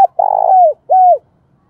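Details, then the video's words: Spotted dove used as a decoy, calling in thổ style: a long rolling burred coo sliding downward, followed by a shorter falling coo, with a quiet background. "Tiếng Chim Cu Mồi Gáy Gọi Cực Đỉnh"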